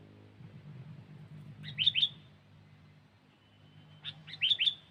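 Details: Sooty-headed bulbul heard as a trapping lure. It gives two short bursts of rapid, sharp, bubbly whistled notes about two seconds apart, with a low droning hum in the background.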